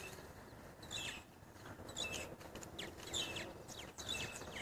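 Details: Purple martins on bird houses in Edmond, Oklahoma: scattered high chirps and short gurgling notes in bursts about once a second, over steady low background noise.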